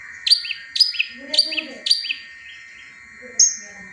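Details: Four evenly spaced sharp high notes, each followed by a short downslurred tail, then one thin whistle, from a long-tailed shrike doing tengkek buto mimicry. Quiet murmuring lower sounds between. Intended to draw song from stalled caged birds.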